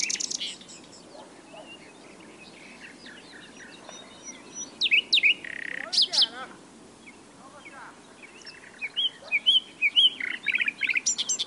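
A nightingale sings a varied, rich phrase of high whistles, rapid trills and buzzy, warbling notes in quick bursts, with quiet pauses between and a faint background hiss.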